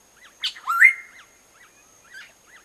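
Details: A Black-naped oriole raising its young gives a harsh rasping burst, then a nasal rising squeal, followed by soft, faint chirps, over a steady thin high whine.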